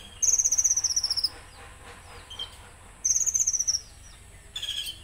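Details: Konin singing a rough 'tembakan kasar' passage: high, rapid rattling trills lasting about a second, separated by pauses and repeated three times, with faint thin whistles and a low background hum.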